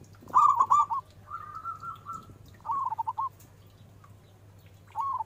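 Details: Loud local zebra dove singing four cooing phrases. Each is a run of rapid, rolling notes, one drawn out into a long wavering coo, over a constant low electrical-sounding hum.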